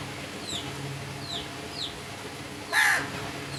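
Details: Crow giving one loud, hoarse caw near the end, preceded by several faint descending chirps from other birds against a steady background hum.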